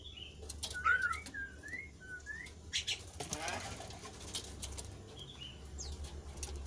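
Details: Kasu-kasu bird, a bird singing vigorously that is used to lure lazy kasu-kasu birds into song: a run of short whistled notes sweeping upward, each about half a second apart, over a low background hum and some knocks.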